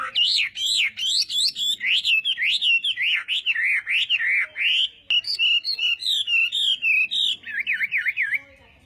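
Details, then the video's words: Chinese hwamei singing morning practice, nonstop loud whistled song of looping, up-and-down notes repeated in quick series, ending with a fast trill of wavy notes. "Hoạ Mi Hót Đấu /hoạ mi hót sáng luyện giọng kich bổi sổ giọng chim hót hay mỗi ngày/"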